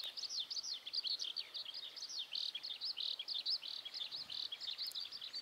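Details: Eurasian skylark song on a cloudy, rainy late-May day at a cattle pasture in Tottori Prefecture, Japan, early rainy season; fast, continuous, high-pitched twittering phrases with buzzy trilled notes, pouring on without pause.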